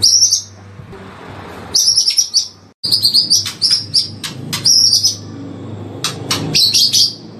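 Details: Oriental magpie-robin song used as a long morning training recording: bursts of sharp, high whistled and chattering phrases separated by short pauses, with a faint low hum underneath.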